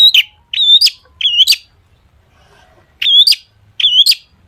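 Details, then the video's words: Long-tailed shrike performing imitation-laden song as a lure for other shrikes: a repeated two-part phrase, a wavering whistle ending in a sharp upward flick, given five times with a two-second gap in the middle. "cendet gacor FULL ISIAN buat pancingan cendet agar bunyi jadikan burung cendet gacor NYAUT"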